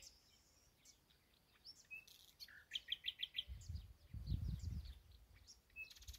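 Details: Nightingale singing in an ash tree beside a new home, varied song with a fast burst of repeated sharp notes, short whistles and scattered chirps, low rumbling noise in the background.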